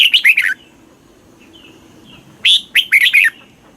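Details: Southern master-style song of a red-whiskered bulbul from Thailand, used to train caged birds: a tumbling run of warbled notes finishes, a soft brief whistle follows, then a new phrase of a sharp note and bright descending slurs.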